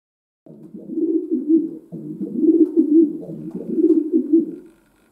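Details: Pet domestic pigeon cooing indoors in a small room: a continuous run of low, throaty, rolling coos pulsing in about four swelling bursts, with no other sounds.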